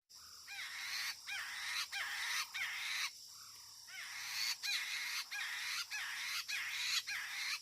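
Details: Chinese hwamei (poksay mandarin) singing near a lure bird: a steady series of loud, looping whistled phrases, about one every half second, over a constant high hiss.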